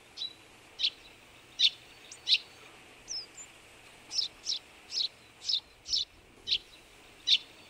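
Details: Eurasian tree sparrow with partial albinism giving a long, steady series of about a dozen short, dry chirps, one every half second or so, fairly even in loudness.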